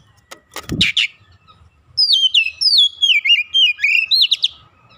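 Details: Oriental magpie-robin (kacer), a newly acquired bird in training, singing loudly in gacor style and unloading its learned fill-in phrases: a thump and a short chirp, then a run of bright whistled notes that slide down in steps.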